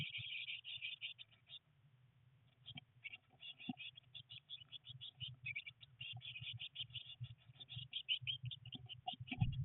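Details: Eurasian blue tit nestlings, three chicks at day 19 in a nest box on a rainy day of first flight tries, keep up fast high chirping runs with scratching, rustling movement and a sharp bump at the end.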